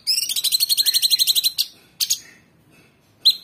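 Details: Caged cucak cungkok, Orange-bellied Leafbird, in tembakan song: a fast even trill of about sixteen high notes over one and a half seconds, then two short sharp chips and a final bright note.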